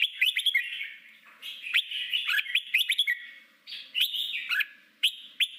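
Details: Red-whiskered bulbul singing in the forest-voice style used as a training song for wild-caught birds; loud, rapid bursts of bright warbled and whistled phrases, some sweeping up and down, separated by brief pauses.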